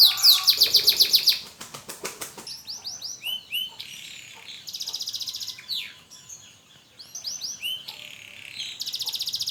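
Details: Canary of the AF type rehearsing song after its moult: an opening loud rapid trill, a patchy run of softer chirps and rolls with short pauses, and a closing buzzy trill.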